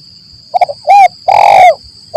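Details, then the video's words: ["Spotted dove call used as a forest trapping lure in the 'lambung Kuk 1 Mersik' style: soft stuttering notes, a clear arched coo, then a long harsh coo, with a constant high hum."] "Suara Burung Tekukur Gacor || Pancingan Suara Tekukur Paling Di Cari Pemikat"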